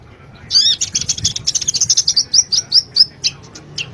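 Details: Sunbird singing a master song used to train cage birds: a rapid run of high, sharp chirps and twittering notes, speeding into a series of clipped whistles before trailing off into a few separate tweets.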